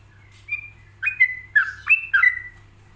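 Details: Yellow-vented bulbul (trucuk) singing a relaxed ropelan with pauses, meant as a tutor for other bulbuls to copy. Five short whistled notes near the middle pitch, some sliding down, bunched within two seconds over a steady low hum.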